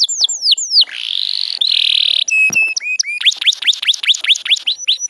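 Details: Female canary in breeding condition from Indonesia, used to goad males into singing, utters downslurred whistles, a long smooth churring roll, a few flat tones, then a lively series of rising-and-falling swoops.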